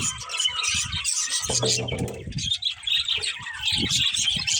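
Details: Several budgerigars chirping and warbling continuously in high, scratchy tones, while low rumbling knocks and a brief humming sound play underneath.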